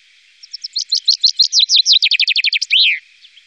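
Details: Song of a common chaffinch recorded in the Wittlicher Tal valley in 2018: quiet high chips building to loud, falling phrases, a fast dense trill, and a final emphatic swooping flourish, with faint notes trailing afterward.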